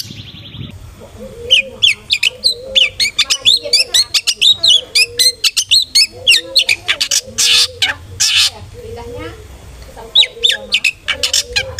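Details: Long-tailed shrike song used as a lure to excite a caged bird into aggressive singing: varied harsh chattering and rapid sharp notes mixed with repeated lower whistled phrases, loud bursts throughout.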